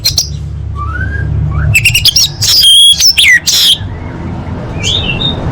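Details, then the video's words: Orange-headed thrush training song for competition birds: soft slurred whistles give way to loud, rich bursts of rapid trills and down-slurred notes, then a faint whistle over low background hum. "Masteran Anis Merah Full Isian untuk Lomba Besar & Latber Elite"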